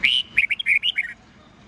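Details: Red-whiskered bulbul morning song in the 'old forest voice' style of 8 to 10 notes, used to train young white-cheeked birds: a rapid phrase of about nine clear whistled, warbling notes near the top of the range, lasting just over a second.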